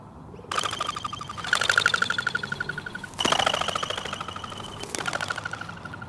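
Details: Crested pigeon wings whirring on take-off make a rapid pulsing whistle alternating low and high with each wingbeat, in bursts. This is a wing-made alarm, produced by a narrow modified eighth primary feather, that warns other birds of danger.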